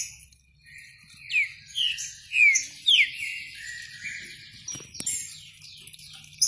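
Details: Green-winged saltator singing a few loud, slurred whistled notes that slide downward, spaced about half a second apart, over a busy backdrop of high, thin chirps and trills from other birds.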